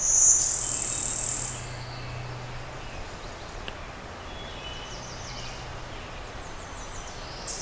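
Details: Brewster's warbler, hybrid of Blue-winged and Golden-winged warblers, in Western Pennsylvania's Oil Creek State Park on a cloudy May 20, 2011, opening with a sharp high note and a strong buzzy trill, followed by faint distant birds and a steady low hum.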